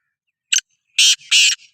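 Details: Sindhi kala teetar, the black francolin, calling: a single short sharp note, a pause, then two long, coarse, buzzy notes joined by a softer rasp and ending in a faint trailing note.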